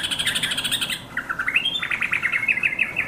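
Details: A yellow-vented bulbul calls its companions: a rustling fluttering burst gives way to quick, bright, bubbling chirps repeated in a jaunty run.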